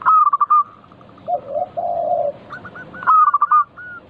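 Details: Lively local zebra dove song meant to coax other doves into singing. A stuttering burst of notes gives way to low, throaty rolling sounds. A further run of short coos and another stutter follow.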